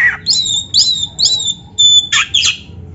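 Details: Caged black-breasted oriental magpie-robin (kacer dada hitam) song meant to stimulate other caged birds. Clear high whistled notes repeat about twice a second, ending with two harsh buzzy bursts.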